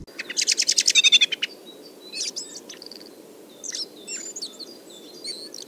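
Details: Common blackbird in a Moscow park in early spring: a loud, rapid rattling alarm chatter of about a dozen harsh notes slipping into its soft, quiet "ventriloquial" muttering subsong of varied high twittering, over a low background rumble.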